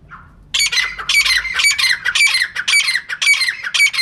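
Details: After a faint note, a female francolin breaks into loud, grating squawks repeated rapidly and evenly for over three seconds. The calls are used as a natural lure for catching birds.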